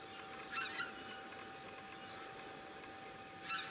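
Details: Goose calling: two short harsh honks with broad noisy harmonics, one near the start and one at the end, over a steady hum and quiet background.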